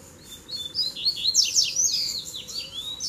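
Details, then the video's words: Double-collared seedeater (coleiro) in a fighting duel, with three birds arriving at once. Loud, continuous rapid twittering of sharply sweeping, buzzy high notes that climb and drop throughout. "VEIO 3 COLEIROS BRIGAR DE UMA VEZ SÓ DUELO DE FIBRA!!!"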